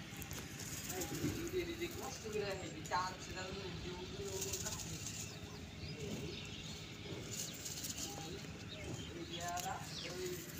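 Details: Common myna (Acridotheres tristis), mimicked speech.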